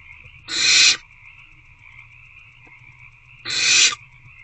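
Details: A pair of harsh, wheezy hisses from hungry owlets in a nest box, about three seconds apart, recorded on a February night while they feed on a rodent, over a continuous thin hum.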